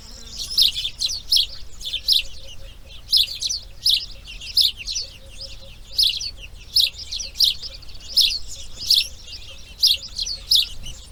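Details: Grey heron chicks calling from the nest while being raised, day 2: a long run of raspy clattering bursts, often doubled, about 80 per minute, over a quiet background with a faint distant whistle.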